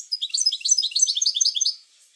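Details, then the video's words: European goldfinch singing in a cage to spur other goldfinches into song, a dense, rapid stream of high tinkling and twittering notes lasting nearly two seconds before falling silent. "اروع بتبتة لتحفيز الحسون على التغريد"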